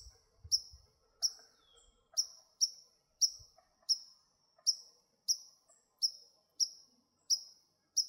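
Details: White-throated Sparrow on a marsh trail at a college visitor centre in July, giving sharp, explosive chink calls, the call of an agitated bird, repeated about every 0.7 seconds with faint low rumbles early on.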